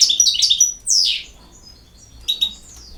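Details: Brief goldfinch song: a quick tinkling twitter, a loud downslurred note, then soft scattered calls.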